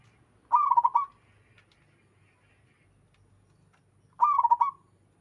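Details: Wild local zebra dove cooing freely, others joining in: a pair of bubbling, stuttering coo phrases roughly three and a half seconds apart, with faint low background hum.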